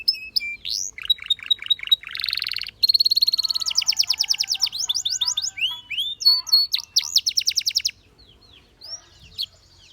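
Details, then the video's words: Canary singing a long training song: bright rapid trills, buzzy rolled notes and swooping upslurred whistles in quick succession, with fast repeated pulses mid-phrase and a short quieter pause near the end. "The Best Canary Singing Video Ever!"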